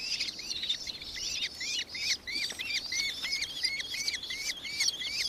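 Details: Nankeen kestrel in Victoria, Australia, recorded 4 December 2024: continuous high, rapid chattering, with clear curved notes repeated about three per second over a second, hissier call layer.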